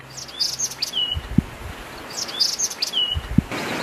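Bulbul giving bright, high chirps ending in a short downslurred whistle, the phrase repeating about every two seconds, with a couple of dull knocks nearby.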